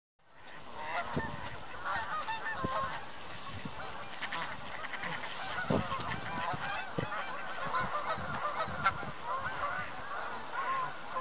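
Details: In winter snow, a flock of Canada geese resting and swimming beside mallards gives overlapping nasal honks and softer chatter without pause, with a few mallard quacks mixed in.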